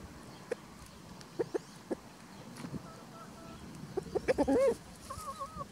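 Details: Spring free-range flock with a white rooster protecting his hens; sparse single clucks, then a dense burst of clucking and a wavering drawn-out note, with faint tonal whistles of other birds.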